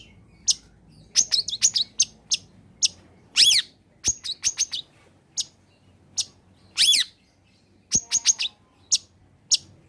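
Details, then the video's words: Long-tailed shrike lure song aimed at shrikes reluctant to sing: clusters of very high thin sharp chips, two harsh rasping bursts, and scattered single ticks separated by short silences. "Suara Asli Cendet Gacor Kombinasi.. Solusi Pancingan tepat buat cendet malas bunyi agar ikut bunyi"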